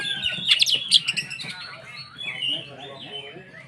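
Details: White-rumped shama song meant to stir other shamas into emotional singing: a cluster of sharp, piercing high notes early on, then softer wavering whistles while a person talks in the background.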